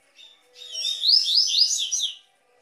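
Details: Tui tui song of a double-collared seedeater for warming up captive birds, a single dense phrase of high, buzzy, repeated rising sweeps lasting under two seconds.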